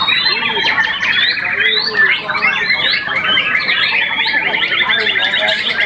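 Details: Song of a young white-rumped shama after one moult, a contest-winning bird: quick rattling note series, rising whistled sweeps and clipped chirps tumbling together, with short repeated phrases.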